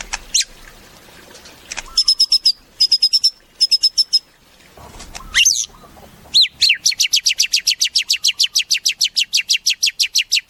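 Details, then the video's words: White-rumped shama singing: a high sweeping note, then short bursts of fast high trills, a buzzy swoop, and a long steady series of rapid repeated chipping notes lasting several seconds. "Suara Murai 1 Juta Ini Ngalahin Murai 10 Juta"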